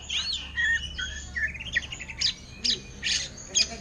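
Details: Greater green leafbird kept in a cage and offered for sale, in ngentrok song copying orange-headed thrush style. A rising ladder of short whistled notes, then spaced sharp chipping bursts.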